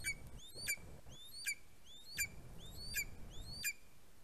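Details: Greater spotted eagle chick fledging from its nest on 11 August 2020, filmed by a live nest camera: sharp, high yelping notes, each rising then dropping steeply, repeated about every three-quarters of a second, six in all, over low rumbling background.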